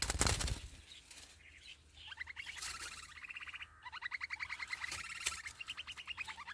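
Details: A brood of hungry sparrow nestlings in the nest begs for food from a parent with rapid trains of thin, high chirps, several a second, after a brief opening rush of wing flutter.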